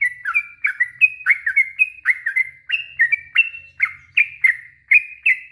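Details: Long 'ropel panjang' song of a yellow-vented bulbul, played to provoke silent birds into replying: quick, liquid chirps and slurred notes tumbling in an unbroken rapid series over a quiet background.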